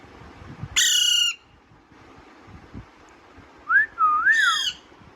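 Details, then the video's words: Natural voice of an Alexandrine parakeet: a harsh squawk, a pause of over two seconds, then a looping whistled phrase running straight into another raspy squawk. "Alexeander parrot natural sound"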